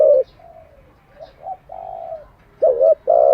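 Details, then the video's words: Spotted dove cooing for training decoy and wild-caught doves: a loud short coo, softer drawn notes, then a two-part coo and a sustained hollow coo at the end. "Tiếng chim cu gáy mới nhất, dùng luyện chim gáy bổi và mồi hàng ngày"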